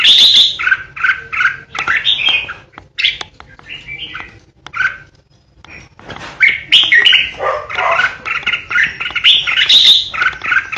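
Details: A kept red-whiskered bulbul decoy sings in the ché style, a run of loud, quick, fluty chirps and slurred warbles, about three notes a second, then a short pause before a dense, louder phrase.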